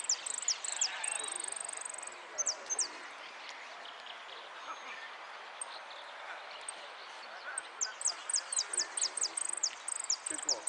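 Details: Goldfinch singing in an 'amarillo de repique' contest at Lanús: bursts of sharp, high, downward-slurred notes, a brief rapid trill near the start, a quieter gap mid-clip, then a dense run of repeated high notes with soft background murmur.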